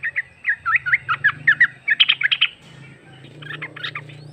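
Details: Female sooty-headed bulbul calling a male as lure: around fourteen evenly spaced chirpy notes in two and a half seconds over a low steady hum, then fainter scattered notes.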